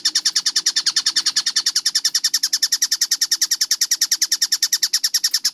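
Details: Clear, quickened tengkek buto (collared kingfisher) chatter with close spacing, made for song training. Strident notes repeat evenly about three times a second over a quiet low hum.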